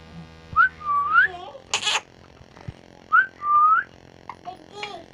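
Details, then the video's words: Talking parrot whistling a two-part phrase, a short upslurred note then a long rising whistle, repeated twice, with a brief harsh squawk between. "Talking parrot"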